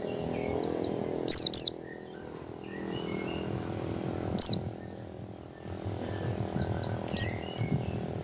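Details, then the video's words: Oriental white-eye doing ngecal and trying ngalas song, a lure for getting other white-eyes to sing; soft and loud high whistles sliding down, some paired, recurring at irregular intervals of about three seconds over low hum. "pleci ngecal dan belajar ngalas cocok buat pancingan pleci agar buka paruh."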